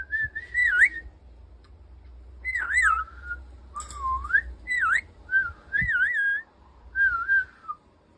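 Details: Pet talking rainbow lorikeet in a whistling duel with a person indoors: a series of clear, warbling whistled phrases that rise and fall and loop up and down, each about half a second to a second long, separated by short pauses, with low room hum beneath.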